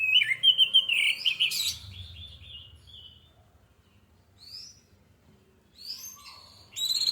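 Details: Orange-headed thrush singing as a singing lure: an opening rush of loud chattering warbles and whistles, a lull, then scattered high phrases returning at the close.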